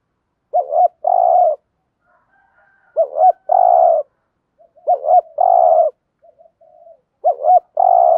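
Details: Spotted dove giving a stimulating 'gù thúc' coo to rouse newly caught doves into calling: three phrases, each a short pair of looping notes and then a long, even, buzzy low coo, spaced about two seconds apart.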